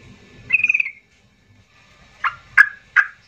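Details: Agitated yellow-vented bulbul, used to provoke quiet birds into singing: a brief quavering chatter, a pause, then three sharp, emphatic chirps in quick succession.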